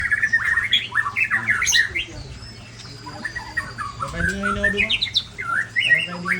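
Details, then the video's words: Large-bodied white-rumped shama from Ujong Pancu, Aceh, singing a loud, varied run of whistled and slurred phrases, rising and falling mostly in the middle register, with quick chattering notes and a steady low hum beneath. "Murai Body Besar Ujong Pancu Aceh"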